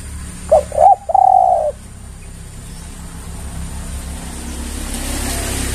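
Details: Spotted dove lure call meant to draw other doves: two short clipped notes, then a long, slightly buzzy, level coo, given once in about a second, followed by steady background hiss.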